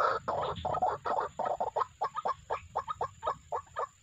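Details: White-breasted waterhen calls played as a lure for bird trapping: rough, croaking notes repeated rapidly, about four per second, in a dense, uneven run with some notes overlapping.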